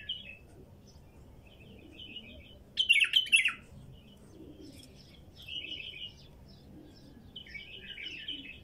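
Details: Wild female bulbul singing: scattered short warbled phrases, then a loud burst of bright, rapid, chattering notes near three seconds, followed by softer looping whistled phrases; faint low background hum.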